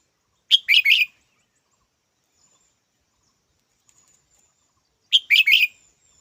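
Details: Red-whiskered bulbul producing two identical harsh chirping phrases of three quick notes each, separated by nearly five seconds of near silence with a faint thin high tone.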